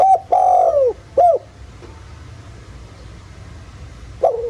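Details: Countryside spotted dove singing the 'giọng thổ' style as a lure for other doves: a long drawn, downward-bending coo and a short hooked note, then quiet, and a new coo beginning at the close.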